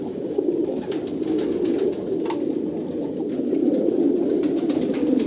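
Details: A throng of Kolkata pigeons gives continuous deep, rolling coos that blend into one low hum, swelling slightly toward the end, with scattered light taps.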